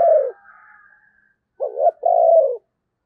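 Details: Lure spotted dove calling in the 'thúc gù' style to draw in wild birds during the Tết season. A falling coo is followed by a faint high tone, a pause, then a wavering note and a longer descending coo.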